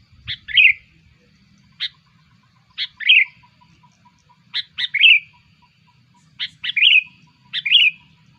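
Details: Lure call of the sooty-headed bulbul, used to draw in bulbuls: a sharp tick followed by a short bright chirp, given in paired bursts about once every one to two seconds over a faint steady ticking.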